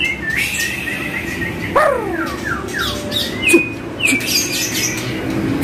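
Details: Training track of white-rumped shama song to prompt caged birds to respond: whistled slurs, a cascade of descending swept notes, then level piping whistles, with low background drone.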